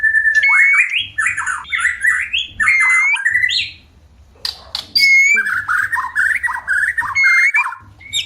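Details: Breeding-condition white-rumped shama singing to attract a mate: energetic warbled phrases with sharp whistled accents and swooping slurs, a brief pause, then a fast rattling stretch; low hum in the background.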